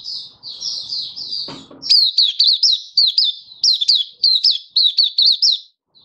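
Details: Malaysian white-eye singing in Singapore, 20 March 2023, stable sunny warmth; soft high twittering, a brief knock, then a lively rapid string of loud, clipped, bouncing chirps that ends abruptly.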